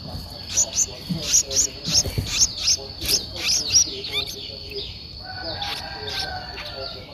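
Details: Streak-eared Bulbul nestling, eleven days old, Ubon Ratchathani, Thailand, 13 April 2023; a series of sharp, high chirps about every half second for four seconds, then softer, lower notes under a steady high insect-like whine.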